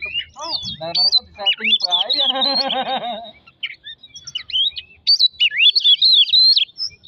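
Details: Magpie-robin singing to rouse other birds: quick whistles, then a harsh buzzy rattling burst at mid-clip, a short pause, and a renewed flurry of sharp whistled notes.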